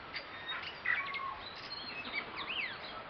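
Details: Tui socialising in a kowhai tree in the Waitakere hills, West Auckland, spring, compact camera recording: clear whistled notes, sliding rising and falling sweeps and quick chirps tumble together from several birds.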